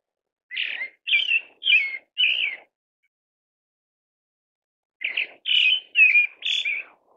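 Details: Two bursts of four quick, rough whistled notes from a pale thrush, roughly two per second, separated by a pause of over two seconds; no other sounds.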